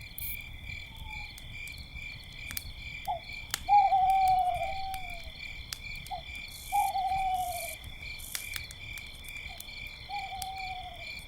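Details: Owls calling at night beside a campfire: several drawn-out, slightly falling whistled hoots, some nearly a second long, spaced a few seconds apart, over steady high cricket chirping and sharp crackles of the fire.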